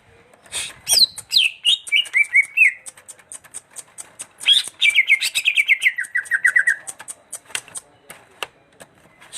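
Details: Greater green leafbird in a long, lively song: a chain of whistled notes stepping gradually downward, a brief break, then a second rapid descending trill, with many sharp ticking clicks throughout.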